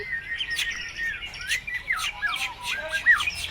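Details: Energetic white-rumped shama song packed with borrowed phrases, played to prompt other birds to answer: clear sliding whistles rising and falling, interspersed with short sharp chips and bright upward flicks.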